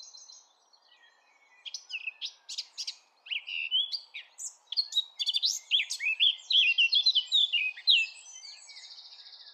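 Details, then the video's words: Eurasian blackcap singing: after a quiet opening, rapid scratchy chattering notes build into a loud, varied warble of clear whistles and trills lasting several seconds. "SONG OF THE BLACKCAP"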